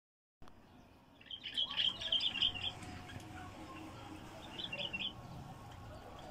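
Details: Wild bulbul in its first period of isolation after capture, singing short bursts of quick, warbling, chattering notes, one longer phrase and a briefer one after a pause, over a steady background hiss.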